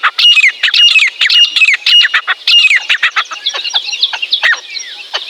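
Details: Wild partridge (teetar) in jungle, mating season: loud, grating notes with a whistled downward slur, repeated about twice a second, then a more jumbled stretch of scratchy calls.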